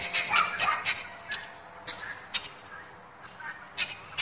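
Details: Helmeted guineafowl living free in an American city neighbourhood, of unknown origin, probably escaped hobby-farm birds. Harsh, grating calls in quick, uneven bursts.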